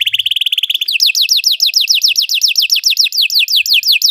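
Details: Belgian canary singing to teach other canaries: a quick dry trill of short notes, then a strong series of repeated downslurred whistles at a steady pace.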